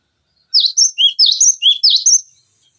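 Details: Sharp, high-pitched cinereous tit song phrase from a tutor recording for training other songbirds: about seven quick, ringing notes alternating between higher and lower pitches, delivered in under two seconds with no other sounds.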